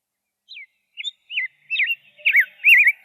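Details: Rose-breasted grosbeak starting its song with a few soft, separate slurred whistles, then building into louder, quicker warbling phrases with rolling up-and-down notes.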